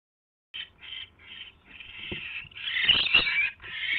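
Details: Owl recorded at night on January 28, 2016, at a mouse catch: after a brief silence, short rasping bursts run into a louder, continuous harsh screech with clicks and rustling beneath.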